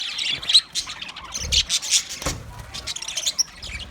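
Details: Green budgerigars chattering; busy, scratchy warbling and short chirps overlap continuously, with a few brief clear tweets and some low background rumble.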